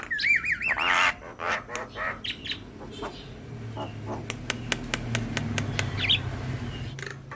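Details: Javan myna (jalak kebo) in song, used to train other mynas: a wavering warbled whistle, harsh squawking chatter, then a run of sharp dry clicks, over a continuous low hum.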